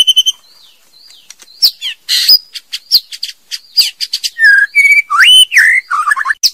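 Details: A female white-rumped shama delivers a rapid, varied song of sharp clicks, chips, squeaky notes and fluty upslurred whistles, growing denser and louder toward the end. No other sounds are heard.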